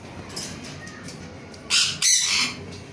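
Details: Ringneck parrot giving two short, harsh, high squawks in quick succession near the end, over a faint, steady background hiss.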